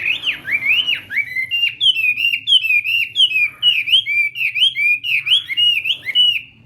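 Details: Chinese hwamei practising its song in the morning for a singing contest: fast sequence of looping, swooping whistled notes, each dipping then rising, repeated almost without pause, loud and clear over a low background hum.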